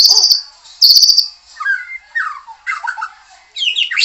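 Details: Song of a white-rumped shama: two bursts of high ringing trills, each followed by a cluster of lower, varied whistled phrases with short pauses between them.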